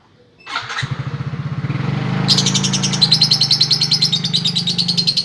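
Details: Female lovebird singing in the konslet style: a fast, buzzy, high chatter of rapid repeated notes starts after two seconds over a loud, low engine rumble from a motorcycle or vehicle.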